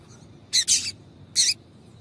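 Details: Female double-collared seedeater call used to stir a male to sing: a quick double chirp followed by a single bright, high, slightly buzzy note within two seconds.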